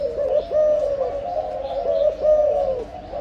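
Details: Breeding spotted dove cooing in a near-unbroken series of soft, low notes with brief stutters, several phrases running together.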